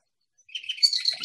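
A Marsh Wren gives a brief, high, buzzy chatter that starts after a short silence and runs as a dry, rattling burst of notes.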